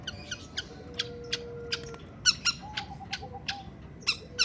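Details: Long-tailed shrike in breeding condition, singing mixed with harsh churring; rough, broadband squawking notes burst out at uneven intervals, some louder than others, with a faint steady tone in the background.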